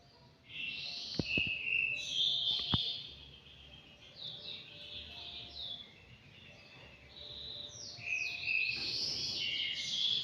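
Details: Young anggungan, aged five months, in an aviary: bursts of high whistled and chattering notes at the start, a few sharp clicks, quieter middle, then rapid rising and falling whistles to the end.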